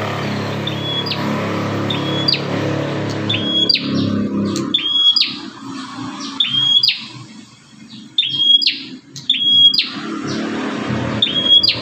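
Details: Bar-winged prinia, called fierce, whose voice lures other prinias: sharp high whistles, each snapping into a brief buzzy burst, repeated steadily over a broad, murmuring low background noise.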